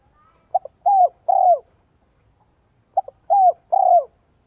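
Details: Spotted dove lure song, 'giọng son 1 cốt lỡ', for bringing wild doves in quickly: paired phrases about two and a half seconds apart, with clipped notes, a smooth downslurred coo and a burry, trilled closing coo.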